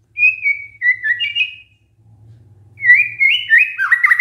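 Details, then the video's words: Lure song of a white-rumped shama meant to prompt other shamas to reply. Two bursts of clear whistles, the first sliding gently downward, the second a fast rising and falling warble. A faint low hum sits underneath. "pancingan murai batu GAK PAKE LAMA, murai langsung nyaut saat dengar ini"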